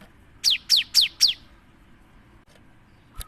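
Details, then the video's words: Cinereous tit singing to provoke other birds: four evenly spaced, piercing downslurred whistles in quick succession, then quiet and a closing click with a short flat whistle. "PANCINGAN SUARA GELATIK BATU GACOR"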